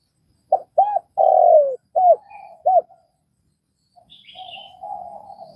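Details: Vietnamese spotted dove giving one phrase: two short rounded notes, a long falling coo, then two clipped arched notes. Afterwards come softer, flatter hums and a faint high chirp.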